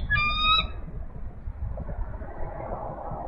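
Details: Mother eagle at a Minnesota nest cam calls loudly from an off-camera branch while the father chases a rummaging squirrel from the nest holding two young eaglets, April 4, 2018, midday. A single clear, high, squealing note lasts about half a second, followed by low rumbling background noise.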